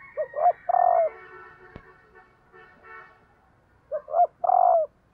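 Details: Female spotted dove cooing to stir up males, giving two low phrases of two brief notes and a drawn-out coo, with a sharp click and faint soft sounds in the gap between them.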